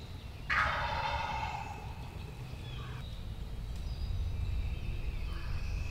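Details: Wild turkey gobbler gobbling on opening day of spring turkey season in Tennessee, 2023: one loud rapid rattling gobble bursting out near the start and fading over about a second and a half, with a steady insect-like whine and low rumble behind.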